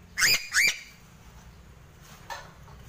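A Sulawesi crow gives two quick, loud, upslurred nasal calls half a second apart, followed by a fainter answering note over a quiet background.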